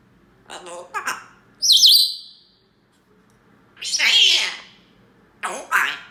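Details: Pet parrot saying "come on" with strong emotion: short harsh, speech-like squawked syllables in bursts separated by pauses, with a brief high whistled note near the start.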